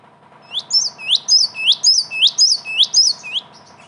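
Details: Java sparrow lure sound used to attract birds for trapping: rapid series of high, thin chirps, each a sharp downward-then-upward flick, repeated about twice per second over a faint low hum.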